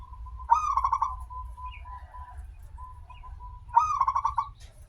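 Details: Zebra dove lure song, a local bird with a long opening phrase: two rapid rolling cooing bursts three seconds apart, steady soft humming coo notes linking them, low background rumble throughout.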